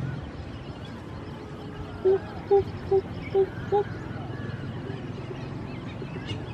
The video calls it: Greater Coucal call